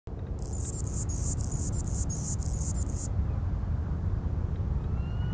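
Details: A male Anna's hummingbird watching over his territory at Floyd Lamb Park, Las Vegas, gives a rapid run of thin, scratchy, very high chips for about three seconds over a steady low rumble of traffic.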